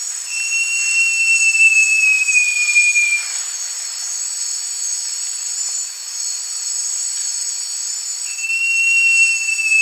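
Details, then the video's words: Two drawn-out whistles from a great jacamar (Jacamerops aureus), each high, pure and slowly falling, about three seconds long and spaced roughly five seconds apart, set against a constant ringing chorus of insects. "O Canto do JACAMARAÇU (Jacamerops Aureus) Bird Song - Great Jacamar"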